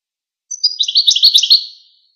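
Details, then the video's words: Goldfinch singing a short burst of quick, high, tinkling twitters for just over a second, notes tumbling closely together in a clean recording with no background noise. "Songs of the Goldfinch"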